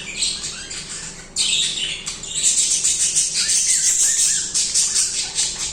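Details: Caged budgerigars singing and chirping nonstop, bright high warbling chatter that swells after the first second and carries on in rapid pulses.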